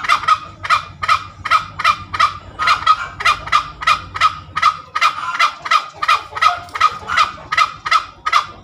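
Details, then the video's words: Tame junglefowl in full ngekek cackling: fast, continuous series of harsh, raspy bursts nearly three per second, with low background music underneath most of the run. "SUARA AYAM HUTAN NGEKEK SUPER MERDU"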